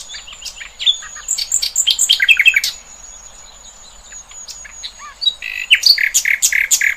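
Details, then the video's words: Several wild birds chirp and twitter together in nature, with busy overlapping high notes, a thin sustained high whistle running through, a quieter gap midway, then more bright chirps. "Kicauan Burung Cerminkan Suasana Damai"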